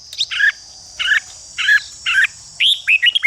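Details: Red-whiskered bulbul used to stimulate fighting song: four separate chattery, burry phrases roughly half a second apart, then a quick series of clear upslurred whistles, with a steady background hiss.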